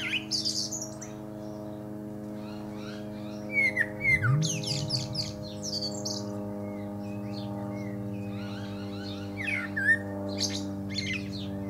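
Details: Common Blackbird singing from a pear tree, its scattered whistled and twittering notes fairly faint. A loud rumbling drone swells midway, as from an aeroplane passing overhead, over a steady hum.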